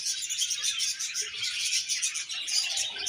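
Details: Short stretch of a happy budgerigar colony: continuous overlapping high chirps and chattering trills from many birds, evenly loud throughout.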